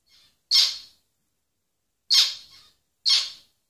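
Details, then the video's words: Zebra finch producing three brief, harsh, nasal calls within a few seconds, the second trailing off with a softer after-note; nothing else audible. "Zebra finch singing تغريد طائر الزيبرا"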